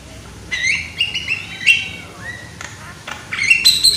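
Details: Lure song of a loud young Javan myna: a falling series of crisp whistled notes, a short rising slur, a pause, then another bright whistled flourish.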